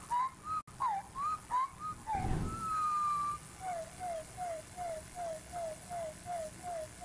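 Winter Wren song slowed six-fold: low whistled, slurring notes, one long held tone, then a steady run of falling notes about three per second over faint room hiss.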